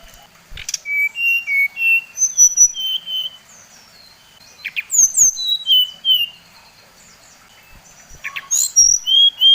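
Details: Bali brown-chested jungle flycatcher song, played to provoke other birds: three runs of sweet whistles, each descending stepwise from high to lower notes, separated by short pauses with faint clicks.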